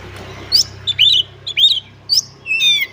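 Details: Energetic caged white-rumped shama singing varied song: short clear whistles and chattering notes, some falling, some rising, separated by brief gaps, ending in a longer buzzy phrase; faint low hum underneath.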